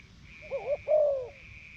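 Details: Caged decoy Spotted Dove in northeastern Thailand, tested after leaving its breeding cage. One coo phrase: a wavering double note followed by a long, smooth coo that slowly falls, over a faint steady high whine.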